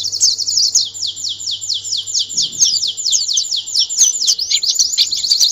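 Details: Canary singing a master song used to prepare birds for national competition: one continuous, rapid rolling trill of high, sweeping notes, steady and unbroken throughout, with a faint low hum underneath.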